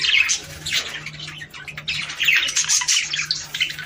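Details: Budgerigars in chatter, a recording meant to prompt mating; scratchy chirps and warbled squeaks come in bursts over a faint steady low hum.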